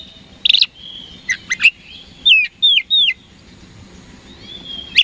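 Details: Oriental magpie-robin singing to draw a reply from rivals: a sharp burst, short whistles, then three loud, downward-slurred whistled notes in a row, ending with a faint whistle and a final chirp.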